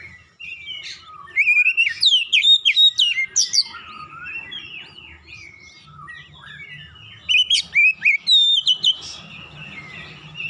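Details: Oriental magpie-robin song used as a lure to prompt other birds to sing: rapid, varied bursts of sharp whistled and sweeping notes, loud strings of repeated phrases with short pauses, low hum in background.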